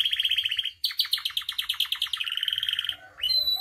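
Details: Vigorous canary song used to provoke and teach caged canaries: a rapid rattling trill shifts into a series of quick, loud pulsed notes and a long rolling run, ending on a clear whistle.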